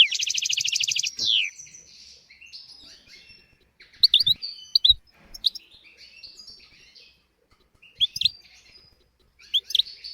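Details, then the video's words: Goldfinch tutor song used to train young goldfinches and canaries: a buzzy, rapid trill for about a second, then quiet scattered twitters and sharp high chirps in small bursts separated by pauses. "تغريد طائر الحسون حفاضة لتعليم طيور الحسون والكناري بدون أخطاء"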